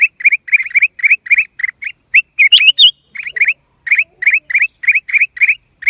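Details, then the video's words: In April 2023, a black-crested bulbul chirps rapidly in slurred two-part notes, interrupted by a loud, shrill squeaking burst before resuming the rhythmic chatter. "เสียงนกปรอดเหลืองหัวจุก นกหัวถ่านใต้ Cang Jambul"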